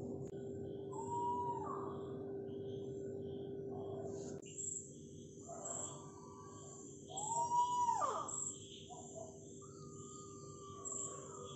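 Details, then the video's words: A mottled wood owl gives two eerie, arching screams several seconds apart at night, over a constant drone of night insects and a steady low hum. "കാലൻ‍കോഴി (mottled wood owl)screaming"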